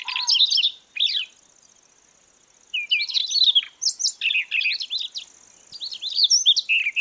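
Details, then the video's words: Siberian rubythroat song used to lure birds for trapping, given in separate bursts of fast, varied whistles and chattering notes with pauses between, over a persistent thin high buzz. "Tiếng Oanh cổ đỏ để bẫy. นกคอทับทิม"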